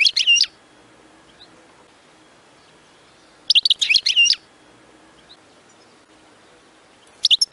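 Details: European goldfinch song used to stimulate another goldfinch into singing: three short bursts of bright, rapid twittering and tinkling notes, spaced about three seconds apart, with quiet low hiss between them.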